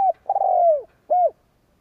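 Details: Decoy spotted dove, a captive bird used to stir up rivals, gives a short soft note, a long smooth falling coo, then a brief rounded coo, all low, pure and hollow-toned.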